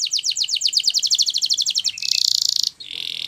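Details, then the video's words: Canary training song: a fast sweeping trill of about eight notes per second, each note sliding downward, runs into a dense buzzing roll, then a lower steady buzz. "Your Canary Will Sing Immediately"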